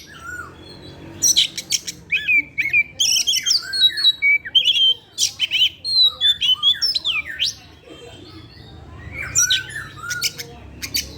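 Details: Oriental magpie-robin, a kept bird singing freely in the afternoon and producing learned material. A long continuous stream of varied whistles, sweeps and harsh chirps, pausing briefly before a final burst of notes.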